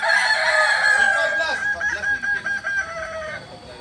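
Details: Kokok Balenggek rooster at a group crowing practice in Amko, Solok city. A loud, strained crow fills the first second and a half, then trails into broken, lower syllables mixed with voices nearby.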